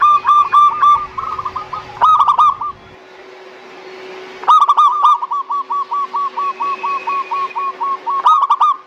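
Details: Zebra dove song played as a lure to get reluctant doves singing: rapid hooked cooing bursts alternating with long, steady runs of short repeated coos, about four per second, over a faint steady hum.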